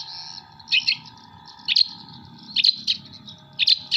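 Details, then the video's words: Long-tailed shrike from Jember giving mimicry song of kuntilanak, sparrow and tengkek buto: short harsh bursts of doubled high notes about once a second, separated by quieter chatter, with a low hum beneath. "CENDET MATERI KUNTILANAK GEREJA TENGKEK BUTO"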